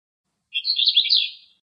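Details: Singing male eastern black-eared wheatear in Greece: a brief, hurried warble opening with a sharp note, then a tumbling string of scratchy, twittering high notes that fades after about a second.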